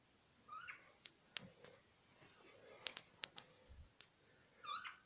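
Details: Pet budgerigars chattering indoors: scattered short warbled chirps and clicks, with a brighter twittering burst near the start and another at the end.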